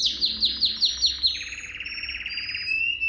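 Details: Canary song used for training young canaries: a fast series of about seven downward-sweeping whistled notes, then a long rapid trill held at an even pitch, ending in a brief higher whistled tone.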